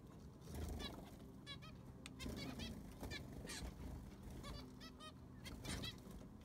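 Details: Zebra finches in an aviary being cleaned, with fresh sand put in: a flock gives many short nasal, honking beeps with rich harmonics, overlapping and irregular, over a low steady hum.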